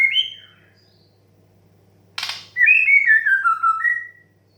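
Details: White-rumped shama 'desahan' song meant to stimulate young and stressed birds to sing: a short whistled opening note, a sudden noisy burst, then a run of sweet whistled phrases sliding gently downward before a final rising note.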